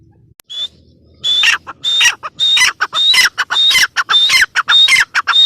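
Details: A female teetar (grey francolin) begins with a single whistled note, then breaks into an even, rapid series of harsh ringing calls, each carrying a bright high tone.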